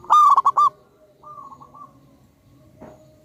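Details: A single loud zebra dove phrase from a local wild-type bird, a fast burst of rolling, bubbling coo notes, followed by a softer, flatter answering coo and a brief tap.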